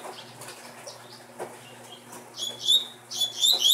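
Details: Double-collared seedeater from a breeding line, heard after faint rustling and clicks. It bursts into two loud phrases of bright, downward-sliding whistled notes in its last second and a half. A soft hum lies in the background.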